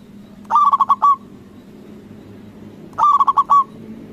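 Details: Local zebra dove with a big voice, singing as a lure to goad other doves into replying: two bursts of fast, bubbling coos about two and a half seconds apart, each closing on a sustained note, over low background hum.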